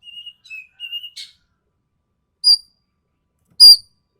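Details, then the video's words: Sumatran ekek keling tutor recording of sharp, harsh calls: a few thin level whistles at the start, then two isolated bright, piercing notes about a second apart, with clean silence around them. "MASTERAN BURUNG EKEK KELING SUMATERA SUARA TAJAM DAN KASAR"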